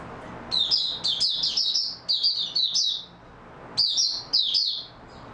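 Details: Oriental white-eye singing in stable form on 28 February 2022: short high, bright twittering bursts of rapid down-slurred notes, in several groups with brief pauses between them, over a quiet room background.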